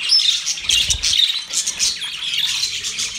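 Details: Brief burst of budgerigar mating song: loud, dense warbling chatter mixed with squawky chirps from several birds.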